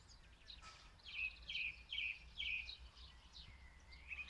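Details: Song thrush singing in Zala county, Hungary, recorded from fairly far away on a phone. It repeats one short, bright, slurred phrase four times in quick succession, about two per second, over a low rumble of background noise.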